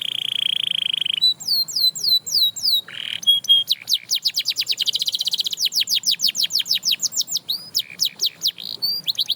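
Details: A canary's song, sung to get other canaries singing: a steady whistled tone, paired high slurred notes, then a long rhythmic chain of quick downward strokes.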